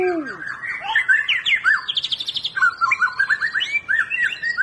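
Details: White-rumped shama (Copsychus malabaricus) song used to stimulate a reluctant bird to start singing: a rich, fast run of varied whistles and slurred notes, with a brief buzzy trill and mimic-like phrases.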